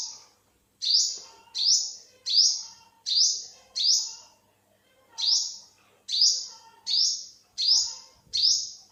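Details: Olive-backed sunbird, 2021, calling eleven sharp, rising-then-level notes in quick succession, with one short break partway through and a faint low murmur underneath.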